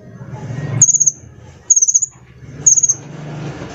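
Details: Sunbird (local name kolibri), a small glossy bird kept as a lure and tutor for other songbirds, gives three short, very high trilled bursts of rapid ticking notes about a second apart over a low steady hum.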